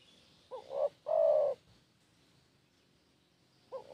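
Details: Spotted dove lure call: a short two-part coo, then a longer, steady, soft coo, with quiet pause before another coo begins.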